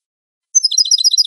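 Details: European goldfinch song, a clean recording made for bird fanciers and trainers: after a silent start, a quick burst of high, tinkling, twittering notes packed closely together.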